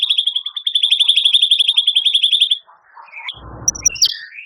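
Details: Kept champion white-rumped shama singing full 'gacor' song with rough, long 'isian' fill-ins. A rapid, regular series of sharp high pulses lasts about two and a half seconds, then gives way to a few short, scattered chirps and faint rustling.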